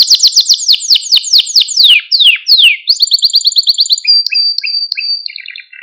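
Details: Male Maltese canary song to stimulate other canaries: rapid descending whistled sweeps, a few long falling slides, then a fast high trill and short paired chirps.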